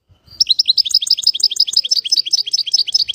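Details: Bird whistling a rapid chattering series of high sweet notes, each a quick downward slur, repeated steadily about ten times a second for three seconds with no other sounds.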